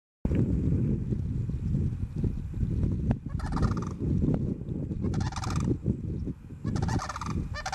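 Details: Sandhill crane (Antigone canadensis) pair giving a unison call of rolling, rattling bugles in three bursts of a second or less, over low wind rumble, at Harns Marsh, Lehigh Acres, Florida.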